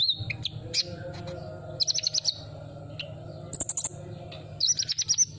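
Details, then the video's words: Sunbird song used as a lure to prompt silent birds to sing: bursts of high, sharp chirps and quick buzzy trills, some sweeping up toward very high pitch, separated by short pauses over a steady low hum. "suara burung kolibri"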